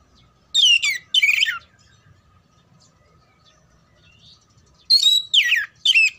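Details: Oriental magpie-robin singing, played to ready birds for singing competitions: two loud downward-sweeping whistled phrases, a pause of about three seconds, then three more rapid bright phrases.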